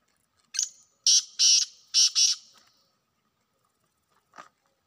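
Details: Grating call of a wild black francolin: a short opening chip, then four harsh buzzy notes in two pairs, followed by silence and one faint distant note.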